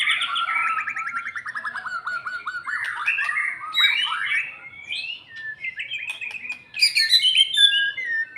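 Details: Post-moult white-rumped shama working up its fighting mood, pouring out a rapid run of descending whistled trills followed by clear, swooping notes and a burst of sharp high chatter.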